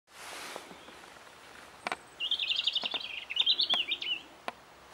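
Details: European robin singing in March 2014 for spring: a thin, high, twittering phrase of rapid warbled notes lasting about two seconds, over steady background noise with a few sharp taps.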